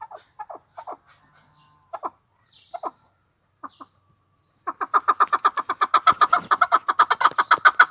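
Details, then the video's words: In Tajikistan, a chukar partridge starts with scattered single clucks, then at about five seconds breaks into a fast, regular, hoarse chuk-chuk-chuk series. "Как поёт горная Куропатка,Кеклик 2020.Partrige,Keklik in Tajikistan"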